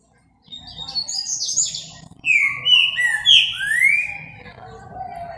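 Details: A Green-winged saltator (Saltator similis) sings at 11:13 in the morning on Friday, 8 October: a loud, rich song of clear whistled phrases, some slurred upward, others quick and chattering, over a faint low hum.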